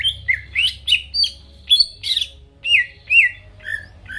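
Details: Greater green leafbird singing to stir rival birds into song: separate loud whistled phrases, each a swooping slur, spaced roughly every third of a second, some with buzzy high edges.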